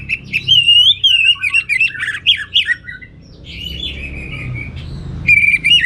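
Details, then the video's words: Orange-headed thrush singing in energetic 'gacor' teler style with abundant material: a wavering whistled phrase, fast jumbled twittering notes, a quieter stretch, then a loud clear whistle returning at the end. "Suara Gacor Burung Anis Merah Teler Materi Melimpah"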